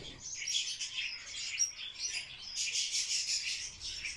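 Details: Rapid grating chatter of a barred warbler in a mating dance, turning into a steady, dense rattle of repeated high notes in the final seconds.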